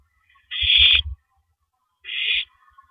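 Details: Shredding a big rabbit before dawn on April 9, 2012, an owl lets out two breathy screeches, the first loud over heavy low thumping, the second softer.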